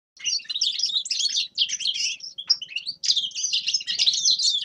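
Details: Grey-crowned goldfinch singing a fast, dense twittering song of high, buzzy and tinkling notes, broken by brief pauses near one and a half and three seconds, then resuming just as busily.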